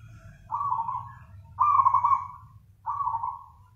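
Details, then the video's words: Zebra dove singing actively, nganyer style, three burry trilled coos in quick succession, the middle one longest and loudest, with low hum behind. "PERKUTUT GACOR nganyer"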